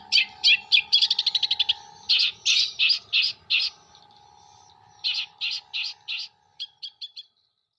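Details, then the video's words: Long-tailed shrike from Jember singing imitations of kuntilanak, sparrow and tengkek buto. An accelerating run of sharp notes gives way to several loud harsh phrases, then a spaced series of chips, and finally a few thin ticks. "CENDET MATERI KUNTILANAK GEREJA TENGKEK BUTO ASLI JEMBER"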